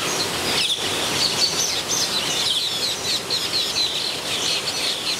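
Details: Metallic starlings in a nesting frenzy in an aviary at San Diego Zoo: a dense, continuous wash of high, harsh chirps and squeaks from many birds at once, with no quiet gaps.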